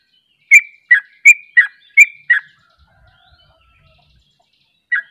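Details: Sooty-headed bulbul in 'ropel' song, another bulbul joining. Six clear, slurred chirps spaced about a third of a second apart, then near silence with faint low knocks, and a single final note.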